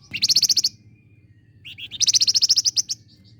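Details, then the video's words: Flame-breasted flowerpecker singing vigorously, a lure recording for contest songbirds: two fast, sharp, high-pitched rattling trills, the second rising into a longer run of about a dozen clipped notes, ending in soft thin tails. "Flamboyan Gacor !! Pancingan AMPUH Buat Burung Gantangan."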